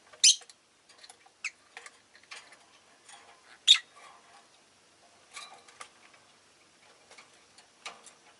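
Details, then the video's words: Pet Rosy-faced lovebirds, a vocal bunch that day: two loud, piercing chirps stand out among many faint, short ticks and chirps, with a quiet background. "Lovebird Chirping Sounds"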